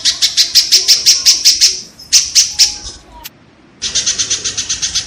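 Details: Kingfisher calls, used as tutor audio for cage songbirds: a quick run of rasping notes, a brief second burst, a pause, then another steady string of slightly softer harsh notes.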